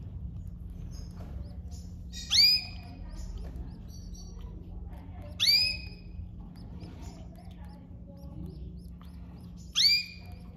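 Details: Caged domestic canary family, mother feeding her young: three loud, sharp, downward-slurred calls spaced roughly three to four seconds apart, with faint soft twitters between them and a constant low electrical hum.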